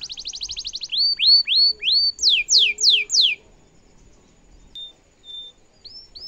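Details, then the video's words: Domestic canary song used to teach other canaries: a buzzy rapid trill, four rising whistles, four loud falling sweeps, then quiet with a few faint thin whistles. "kenari gacor cengkok mewah bikin lawan langsung nyaut dan efektif buat masteran kenari paund"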